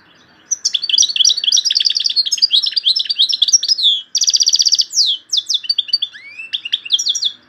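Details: Loud Algerian European goldfinch song with phrases locally called torogio, kaka gio and borwis. Rapid tinkling twitters run continuously for several seconds, broken by a dense buzzy trill, then sharp descending notes and an upward-sweeping whistle.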